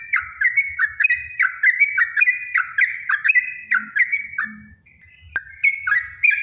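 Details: Yellow-vented bulbul in long rapid 'ropel' song, used as a lure to make other bulbuls sing: repeated quick chirping notes, a short pause, a single sharp click, then the notes resume.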